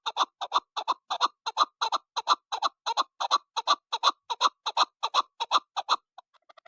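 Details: Chukar partridge call used for hunting: a rapid, very regular series of about twenty loud clucking chuck notes, nearly three per second, broad and rough in tone, stopping abruptly with a few faint ticks after.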